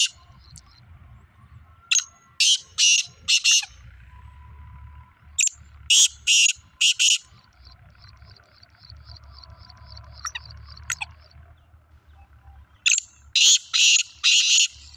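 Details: Black francolin, a young two-year-old bird, calling in a contest; several loud rasping bursts in clusters of two or three, with a faint high chirping and a steady low hum between the bursts.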